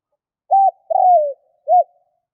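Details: Low, rounded coos of a spotted dove: a short note, then a long coo that falls in pitch, then a final short note after a pause. The background is silent.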